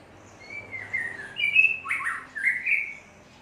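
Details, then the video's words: White-rumped shama from Aceh, where the species is now becoming rare, gives a clear whistled song: a smooth drawn-out note, a brief louder burst dropping in pitch, then a rising whistled phrase. "MB Murai Batu Aceh Super"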